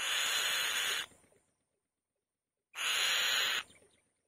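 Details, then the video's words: Loud calls of a female white-tailed kite at the nest: two drawn-out, breathy, grating screeches, each roughly a second, with a quiet pause between them. "White-Tailed Kite | The Female Bird Makes a Loud Noise On The Nest"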